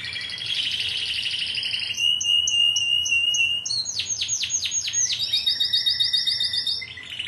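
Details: Timbrado canary singing, competition team line of 2009: a rich rolling trill, then evenly pulsed metallic notes, followed by fast descending sweeps and a bright high rattle, each phrase changing abruptly.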